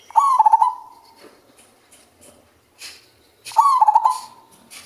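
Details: Male zebra dove prized for its low, bass voice, in full calling form: loud bursts of quick pulsed coos, each starting on a brief rising note and then stuttering rapidly before fading, repeated after roughly three seconds of near-quiet.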